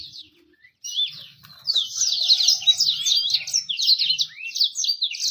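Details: After a near-silent start, a bird breaks into fast, dense high twittering with rising swoops, faint low rumble underneath; a lure meant to make birds sing quickly and attract females.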